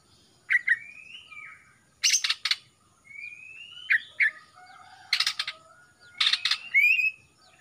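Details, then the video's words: Singing young male greater green leafbird from Kalimantan, newly past its spotted juvenile stage and black-throated in front, untrained yet vocal: clear rising whistled slurs alternate with dense bursts of harsh, rasping chatter, repeated across several phrases. "CUCAK ijo LEPAS trotol"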